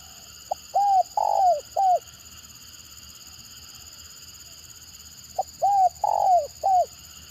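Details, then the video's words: Two complete stuttering 'gagap' phrases from a spotted dove, about five seconds apart, each a short stammer note followed by three mellow coos, the middle one longest and sliding down. "Mendengar Suara Tekukur Gagap Ini Burung Lain Pasti Responnya Gacor"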